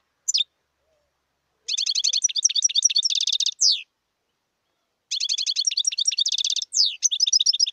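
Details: Wild European goldfinch song in repeated bursts: rapid tinkling chirps and a buzzy trill, each phrase closing with a sharp descending note, with short silences between.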